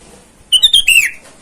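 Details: A sooty-headed bulbul in full voice calls to rivals in the wild, a lure call for wild birds. It gives one crisp phrase of rapid, clear whistled notes that ends in a falling slur.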